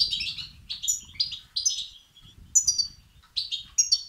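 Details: European goldfinch chicks begging, meant to stir up males: short high chattering phrases with thin, piercing upper notes, arriving in uneven bursts separated by brief silences.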